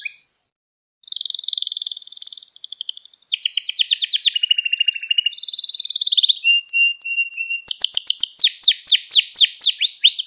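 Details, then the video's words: Canary lesson song played to train young canaries and excite birds into singing: after a brief note, long buzzy rolled trills shift between pitches, then steady mid-pitched notes and fast high descending sweeps. "Kanarya Ders Ötümü ve Kanarya Sesi"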